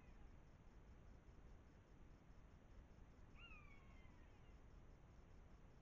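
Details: Common buzzards (Buteo buteo) quarrelling before a wildlife camera in the Eifel, Germany, in September 2024: a single drawn-out, downslurred mewing cry falling over about a second, through low rumbling wind.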